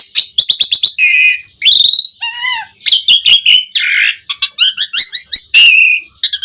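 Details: Lure song of a Javan pied starling meant to prompt other starlings to sing: dense chatter of rapid chips, steady whistles, a low slurred note and rhythmic repeated squeaks throughout.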